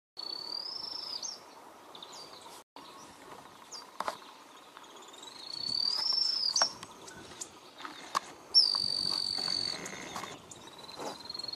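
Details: Pale-tipped tyrannulet (Inezia inornata) call: high, thin, drawn-out whistles, some rising or sliding, over a steady hum of insects and faint background noise.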